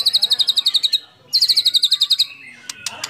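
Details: A white-rumped shama sings actively, played as a lure for other shamas. Two fast trills of bright, high, repeated notes, separated by a brief gap, end in a few sharp snapping clicks.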